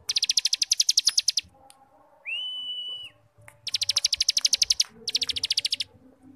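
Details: Cigun starling in ngebrem style as a tutor for young birds: rapid pulsed rattles, a clean sustained whistle, then two more bursts of fast buzzy notes.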